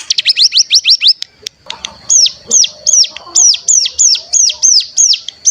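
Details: Mountain tailorbird (cigun) lure song meant to stir captive untrained birds into singing and 'ngebren': a fast series of high sweeping notes, then slower, evenly spaced down-curving whistles, over a steady high tone.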